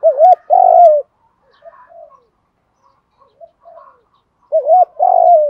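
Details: Spotted dove coo for goading decoy birds into calling: two loud phrases, each a wobbling two-part note and a sustained falling coo, with quieter distant coos between them.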